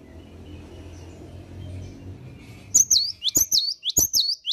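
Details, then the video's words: In the morning a cinereous tit bursts into song after a quiet low hum: around four loud, high, swooping two-note phrases delivered in fast succession. "Kicauan Gelatik Batu Gacor Dipagi Hari"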